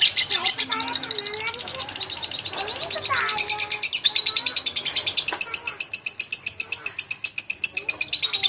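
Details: Lovebird song used to train magpie-robins: rapid, shrill, rasping chatter running throughout, mixed early on with lower whistled and squeaky notes, becoming an even, fast series toward the end.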